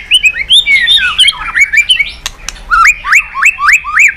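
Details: White-rumped shama singing to provoke other birds: a fast, varied run of whistled sweeps and chattering notes, then a string of six repeated rising whistles, each about a third of a second apart.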